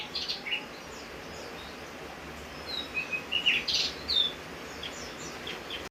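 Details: Javan grey-throated white-eye singing during rain: short high chirps and twittering notes in scattered bursts, loudest near the middle, over a steady hiss of rainfall.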